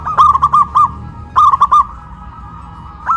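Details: A loud duet of local zebra doves, big voice against crystal voice, cooing after being raised on a pole in Kuningan, West Java. Two quick rolling phrases of clipped coos are followed by a lone rising note.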